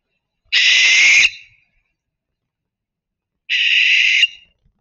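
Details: Barn owl (Tyto alba) giving its haunting, high-pitched scream call: two harsh, hissing screams, each under a second long and about three seconds apart, with silence between them.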